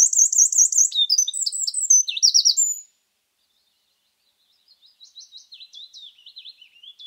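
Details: Eurasian wren (Troglodytes troglodytes) in mixed woodland in Scotland gives its loud, very high song: rapid trills and sharp notes pouring out for three seconds, then a pause and a fainter run of quick, repeated notes.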